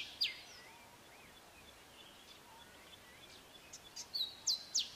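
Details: Grey sunbird male with his short, sharp phrased song; one sharp descending note opens, then soft distant chirps over hiss, and the phrase returns at the end as a high whistle plus two steep falling notes.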